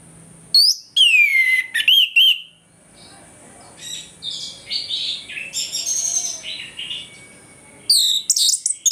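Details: An orange-headed thrush performs ngeplong song in the morning, a lure for aggression: loud sweeping and descending whistles, a middle stretch of softer scratchy warbling, then a renewed burst of loud notes.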